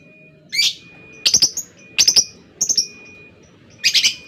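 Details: Lovebird calling in short bursts of harsh doubled and tripled chirps with pauses between, over a faint constant high tone.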